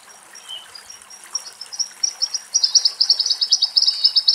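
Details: Western rock nuthatch singing in woodland near water where it bathes, with high, sharp notes that quicken into a loud, ringing trill of about a dozen rapid piping notes over faint background hiss; calls of a raptor are heard at times.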